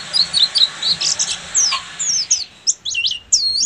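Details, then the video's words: Oriental white-eye, buxtomi type, in ngeriwik song: a few seconds of bright, high warbled slurs and sweeping chirps, starting tangled and ending in separate looping whistled notes. "SUARA BURUNG‼️PLECI BUXTOMI FULL NGERIWIK"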